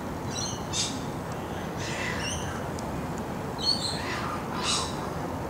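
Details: Wild laughing kookaburras at a feeding spot beside bushland, an adult feeding its chicks shredded steak; harsh broadband squawk bursts alternate with short high stacked notes, about five outbursts over several seconds, steady background hiss.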